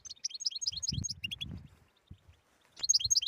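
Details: European goldfinch 'batbata' song for waking a quiet goldfinch's singing: a tinkling fast twitter, then sharp chirps and a pause with dull low bumps, before the twittering starts again.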